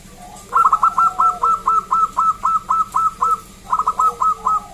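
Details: Local wild zebra dove with a loud voice, used to lure others into song: rapid stuttering bursts of bright cooing notes, about a dozen in a row, a short pause, then another quick burst.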